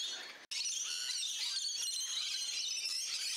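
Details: Rainbow lorikeets in a garden on the Central Coast, New South Wales, Australia, giving a dense, continuous high-pitched screeching chatter, many harsh overlapping notes without pause after a brief break at the start.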